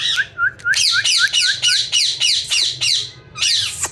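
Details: Ringneck parrot said to be talking, saying "mithu mithu": a fast run of harsh, downward-hooked squawky calls, about three to four per second, with a brief pause before a final louder call, in a small quiet room.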